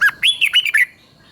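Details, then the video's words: Red-whiskered bulbul song from Thailand in the southern master style, played to excite other bulbuls and instruct young birds. A loud, clear run of six bouncing whistled notes fills under a second before falling quiet. "เสียงนกกรงหัวจุก สำหรับต่อ หรือ เปิดให้นกคึก"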